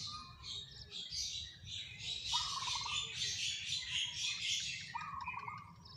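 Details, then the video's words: Local zebra dove giving two short, vibrating coo phrases a few seconds apart, each a quick trill on a steady low pitch, while many small birds chatter and twitter loudly at higher pitch. "suara perkutut lokal irama"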